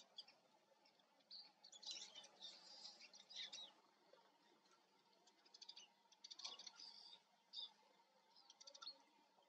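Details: Eurasian siskin watched in front of the camera: faint, high twittering phrases in short clusters separated by pauses, thin chirps and brief trills over a low steady hum.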